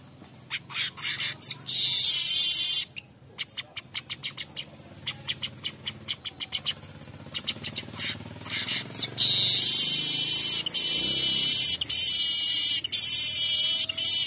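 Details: Morning song of a streaked weaver: a run of rapid dry ticking notes, a short harsh buzz, more clicks, then a long sustained wheezing buzz broken by short gaps over the final five seconds.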